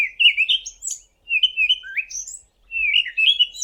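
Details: Cape Robin-Chat (Cossypha caffra), a common garden bird of the Eastern Cape, South Africa, singing three rich, warbled phrases of about a second each, sliding between middling and high pitches, with short pauses between them.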